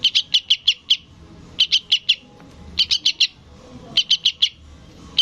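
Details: Sooty-headed bulbul fledgling calling for its parent, giving rapid clusters of four to six sharp, raspy high chirps, each cluster separated by short pauses of about half a second.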